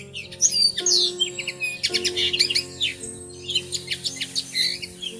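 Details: Bushtits at their woven nest in a plum tree during early May nesting; rapid, thin, high chips and twitters, some slurred downward, in bursts separated by short pauses, over soft background music.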